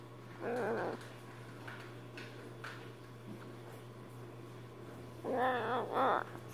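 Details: A young baby Catalina macaw crying at night gives two drawn-out, wavering, nasal cries a few seconds apart, with softer sounds in between and a steady low electrical hum; its cries are likened to a puppy dog's.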